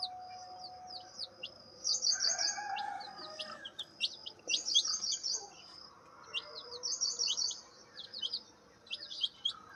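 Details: Turkey chicks giving dense, thin, high-pitched chirps, many short peeps and bursts of rapid twittering overlapping throughout, with faint lower background sounds.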